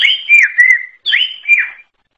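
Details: Song of a forest-type greater green leafbird (cucak ijo alas): two clear whistled phrases of about a second each, each starting high and sliding down through looping notes, with a short pause between them. The background is quiet.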